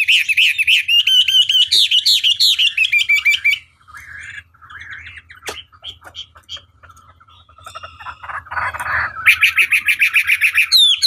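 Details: Chinese hwamei (wambi) song used as a long training recording to provoke other birds into answering: loud, rich whistled phrases rising and falling with rapid repeated notes, a quieter stretch of scattered softer notes midway, then loud phrases resume.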